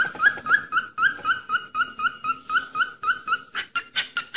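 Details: Falk bird song used as a daily training recording: a bright whistled note with a quick rising flick, repeated about four times a second with steady spacing, softer lower notes beneath, and the final notes growing harsher and louder.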